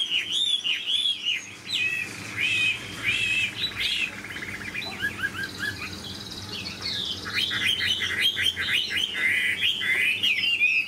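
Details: Caged Chinese hwamei, a large-bodied bird kept for its fine voice, singing a loud, continuous, richly varied song of rapid whistled phrases, slurred notes and quick trills that shift in pitch and tempo throughout, with a faint low background hum.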